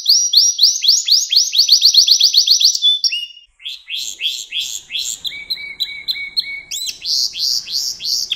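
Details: Caged canary song used to teach young birds: a rapid run of rising chirps for three seconds, a brief pause, then buzzy repeated notes, a steady low whistle and a bright trill to finish.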